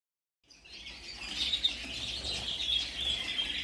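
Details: Indoor bird room with a group of kept redpolls: quick, high twittering chirps come about four times a second after a brief silence.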